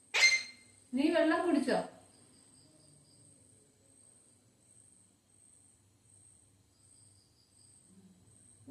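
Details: Pet parrot talking in Malayalam: a sharp click, then one short voiced, word-like utterance lasting under a second, followed by quiet room hiss with a thin steady high whine.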